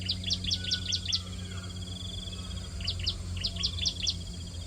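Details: Hungry bar-winged prinia chicks fed at the nest: a run of about six sharp high chirps, a faint buzzy trill, then another chirping burst, over steady low hum.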